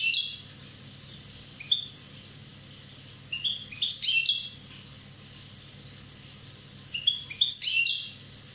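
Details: Corsican goldfinch aged one year singing high, tinkling phrases. Each begins with a few stepped chirps and runs into a dense liquid twitter, repeated three times over several seconds against a low hiss.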